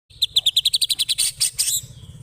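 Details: White-rumped shama giving a long, rough chatter (ngekek): a rapid series of about fifteen sharp, high notes that speed up and then blur into harsher, buzzier notes before fading.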